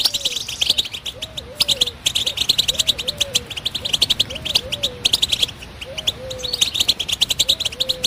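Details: Energetic high-pitched batbata twittering from a European goldfinch, with chirps and trills in quick bursts. A dove's low, hollow coo repeats steadily about every second underneath.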